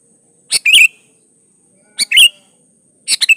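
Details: Sooty-headed bulbul singing gacor-style as a lure to prompt other bulbuls to sing: three brief phrases roughly 1.5 seconds apart, each a sharp note then a liquid, slightly descending warble, with a steady faint high tone in the background.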